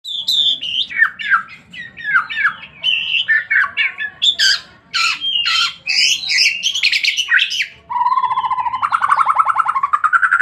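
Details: White-rumped shama in full, persistent song: a rapid run of varied whistles, sharp chirps and slurred phrases jumping between high and mid pitch, ending in a fast, buzzy rattling trill.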